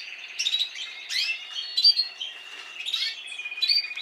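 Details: Spanish Timbrado canaries, an adult from last season among others, several birds singing at once: a steady run of high rolling trills and metallic chirps with short bright whistled notes.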